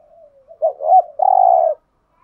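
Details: Spotted dove lure cooing, used to draw wild doves: a soft low lead-in, two short rising-and-falling notes, then one long, steady, throaty coo. The background is quiet.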